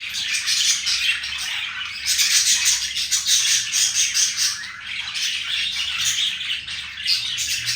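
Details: Male green budgerigar courting a female, kept as a pet, giving a continuous scratchy warbling chatter with bright squeaky notes and brief pauses, loud throughout.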